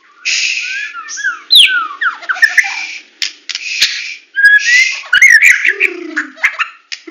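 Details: Murai batu from Medan delivering full tembakan song: long harsh buzzy rasps alternate with quick slurred whistles and sharp high flicks, with a low descending note near the close.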